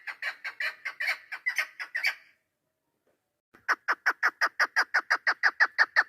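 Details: Chukar partridge recorded on 3 May 2025, giving fast rhythmic chuk-chuk notes about three per second, a burst of harsh overlapping calls, a pause of over a second, then a steady loud run of repeated notes.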